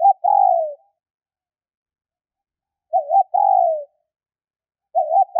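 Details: A female spotted dove calling to stimulate males gives repeated phrases about 2.5 seconds apart, each a brief wavering coo before a sustained, gently falling coo, in otherwise clean silence.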